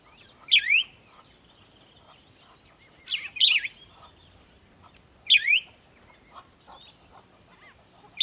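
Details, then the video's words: Early-morning birds at sunrise giving loud, sharp descending chirps in short bursts about every two to three seconds, with quiet twittering between them. "Morning Sunrise and Birds sound"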